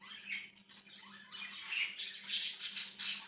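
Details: Budgerigar chirping indoors: a busy run of harsh, scratchy squawks and chattering notes, building in loudness toward the end, with a faint steady low hum beneath.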